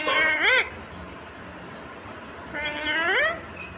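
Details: Indian ringneck parakeet, a green parrot, talking: two separate loud, nasal, word-like utterances, each gliding upward in pitch, with a quiet gap between them and steady low hum behind.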